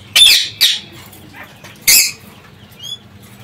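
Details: Parakeets at liberty inside an aviary after getting out of their cage. Three loud, rasping screeches are spaced over about two seconds, followed by a brief thin whistled note, all over a faint low hum.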